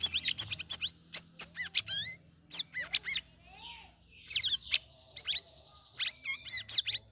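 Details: A caged sooty-headed bulbul after three weeks of ombyokan conditioning sings in the ngeriwik ngeplong style: continuous lively chatter of sharp chirps, arched whistled slurs and quick trills, with a soft low hum underneath.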